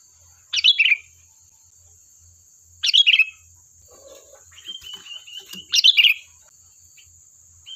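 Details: Lively sooty-headed bulbul song played to lure other birds to respond: three rich warbled phrases roughly every two and a half seconds, with a thin level whistle and soft twitters between, over a faint constant high whine.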